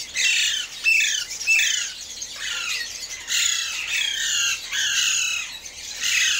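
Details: Alexandrine parakeets calling in the morning give loud, harsh, grating squawks in rapid overlapping bursts, several every second, with no break across the clip.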